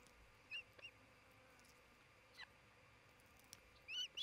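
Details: Nesting osprey at Charlo, Montana, 27 June 2018, late morning camera recording; a few thin, high chirps early on, a faint note midway, then a louder run of arched whistles at the end over quiet background hiss.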